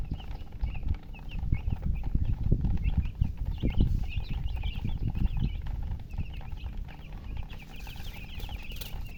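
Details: Coloured baby chickens in poultry keeping, chirping from thirst for drinking water; short, high peeps repeat rapidly in scattered bursts across the whole stretch, over a strong, steady low rumble and dull thumping.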